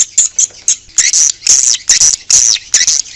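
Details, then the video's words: Outdoor swiftlet calls, used to lure swiftlets: rapid high-pitched buzzy chirps, about two per second, each a short harsh burst with a thin whistled edge, the bursts grouped close together. "Âm thanh chim yến ngoài trời - Âm thanh gọi chim yến"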